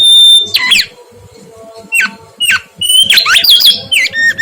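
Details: Loud, harsh-edged song of a mangrove whistler in energetic form: a short steady whistle, then jumbled slurred notes sweeping up and down, scattered single downstrokes and a closing tangle of warbled whistles.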